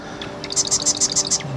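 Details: An active Marsh Wren moving among reeds and cattails in a marsh in Eastern Washington on a bright morning: a quick, high rattling series of about six sharp, evenly spaced notes in under a second.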